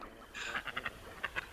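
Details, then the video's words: Gadwall giving a quick run of nasal, reedy chattering notes, four close together then two more after a short pause, over faint hiss; a chatty, absurd-sounding call likened to Sesame Street's Yip Yip aliens. "it's just kind of absurd that that's the sound that the Gadwall makes"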